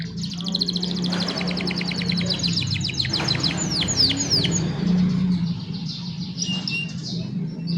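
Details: Young canaries singing for other canaries to learn from, phone-recorded: a fast high trill of ticking notes speeds into sweeping downslurred chirps, then fades, under strong low rumbling background noise.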